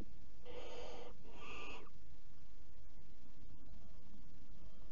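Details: A barn owl (Tyto alba) in a nest box, 11 July 2018 at 20:42, gives two harsh, rasping hisses, each under a second, one straight after the other, over a steady low background rumble.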